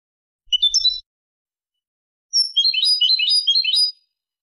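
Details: European goldfinch singing a Malaga-type phrase meant for tutoring goldfinch and hybrid chicks: a brief twittered intro, a pause, then a fast tinkling trill of high, jingling notes for about one and a half seconds.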